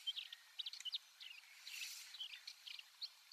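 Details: Desert wheatear, a passage or winter visitor in Sakae, Chiba, Japan, in soft rambling subsong: thin chips and short warbled notes over steady hissing noise.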